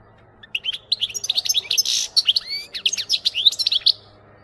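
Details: European goldfinch song used for training goldfinches to sing: a lively, continuous stream of high tinkling twitters and buzzy trills, with one rising whistled slur in the middle, lasting about three and a half seconds.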